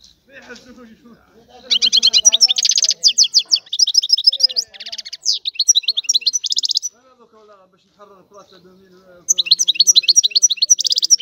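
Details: Goldfinch of Sicilian type singing an old song style, long bursts of lively high twittering and buzzy trills separated by a quieter stretch with soft lower notes.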